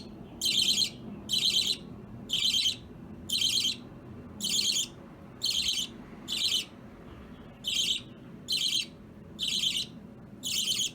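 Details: Pet baby budgerigars in a multi-bird home, an opaline violet, a lutino and a green opaline, at chain play; short raspy chirp bursts repeated about once a second, eleven in a row, with quiet between.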